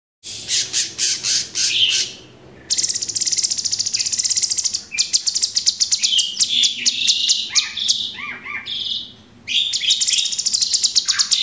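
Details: Caged Orange-bellied Leafbird delivering a 'tembakan' burst song, used as a tutor recording for training other cage birds: rapid high chattering trills and buzzy phrases in several bursts, with brief pauses and falling notes near the end.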